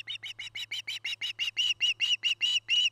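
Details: Nest-camera recording of an osprey at its nest in Charlo, Montana, 09-08-2018: an even string of about fifteen short, piercing whistled chirps that grow louder toward the end, over a faint low hum.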